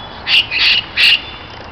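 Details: Parakeets kept in an aviary in Berlin, among several kinds living together: three loud, harsh, rasping squawks in quick succession.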